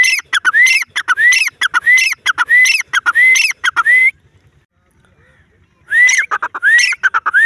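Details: Grey francolin (Ortygornis pondicerianus) call: loud, harsh, rhythmic phrases, each ending in a rising whistled note, repeated in a fast series, a pause near five seconds, then resuming; laughter heard before and after.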